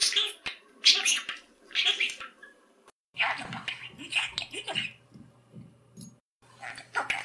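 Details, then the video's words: Pet budgerigar kept indoors, chattering in Hungarian to himself and his owners: soft, breathy, rapid mimicked syllables in short bursts with brief pauses, quiet room. "a beszélő hullámos papagáj"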